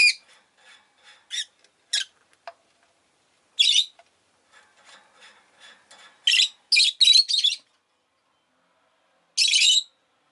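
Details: Rosy-faced lovebird chirping: loud, harsh, scratchy chirps come in irregular bursts, some single and some in quick runs of three or four, with soft quieter chatter between them.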